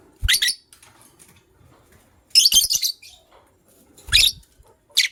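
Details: Morning chirping from a pair of white lovebirds: loud, rasping, high bursts, each under half a second, coming in three clusters with near silence between them, plus light tapping.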